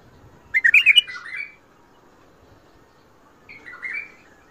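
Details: Bulbul performing a Mandali and Badra style song with the phrases called shadat ward, fajrli and ward tabarli: a bright cluster of fast, bubbling whistled notes that slides down into a warble, and a quieter phrase about two seconds later.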